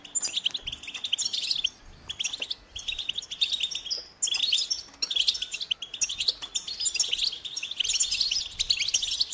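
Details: Lively goldfinch song in several phrases of rapid twittering and buzzy, liquid notes, broken by short silences between phrases.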